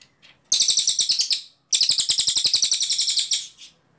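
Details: Clear, long bursts of ashy tailorbird song, recorded as a tutor for training other songbirds: two runs of rapid, sharply pulsed high notes, about twelve and sixteen pulses each, separated by a brief gap in silence.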